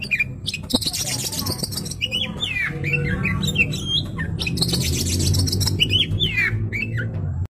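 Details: Caged Oriental magpie-robin singing excitedly, harsh rasping bursts alternating with quick twisting whistled notes and chirps, against a steady low hum.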